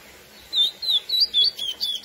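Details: Lesser seed finch (Sporophila angolensis) classic song, used to excite females: short silence, then six quick, smooth whistled notes, each rising and dipping, at a brisk steady pace.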